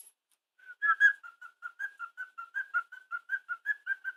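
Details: A male pet cockatiel whistles learned tunes, the Chocobo theme and the Batman theme, switching between them when cued, in a steady string of clear, mid-pitched notes.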